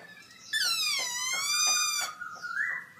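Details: Black-throated laughingthrush in a cage at an October 2016 birdsong contest, singing very loud: a long, rich, harmonic note sliding downward, then a clear rising whistle at the end.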